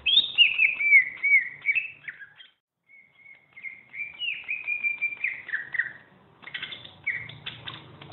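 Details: Champion greater green leafbird, a kept songbird recorded as tutor song for training other birds, giving a varied run of clear whistled and slurred notes, some falling, with a short pause midway before rougher chattering phrases resume.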